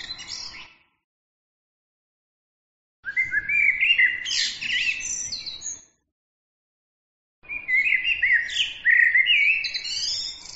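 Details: Small bird singing complex phrases of about three seconds each, with bright rising whistles and buzzy trills climbing toward high pitch, broken by clean silent gaps between phrases.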